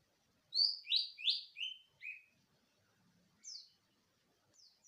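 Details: Wild greater green leafbird song, played to stimulate other birds to sing: five rapid high whistled notes dropping in pitch, then after a pause two isolated sharp descending whistles.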